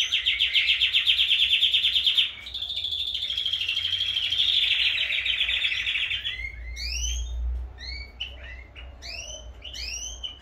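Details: Canaries in vigorous song, with pairs about to be separated: a loud pulsing trill, a smoother sustained rolling phrase, then sharp rising whistled sweeps in quick pairs, with a soft low rumble in the background.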